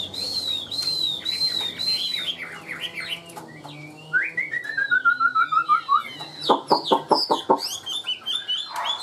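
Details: Tame caged Chinese hwamei singing steadily: loud, varied song of rapid slurred whistles, a descending run of quick repeated notes, then sharp clipped staccato notes and sweeping phrases.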